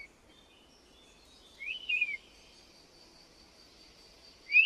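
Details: European honey buzzard (Pernis apivorus): two short, high, whistled calls, the first rising then falling with a wavering middle, the second cut off at the end, over a faint steady high hiss.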